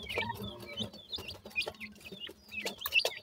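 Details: A few high, downslurred peeps from grey francolin chicks, spaced irregularly, with faint low clucking-like tones and soft background knocks.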